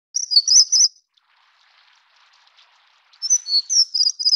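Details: Plumbeous redstart (Taiwan endemic subspecies Rhyacornis fuliginosa affinis, a bird of mid- to low-elevation streams) gives two brief bursts of thin, very high, squeaky twittering notes about two seconds apart.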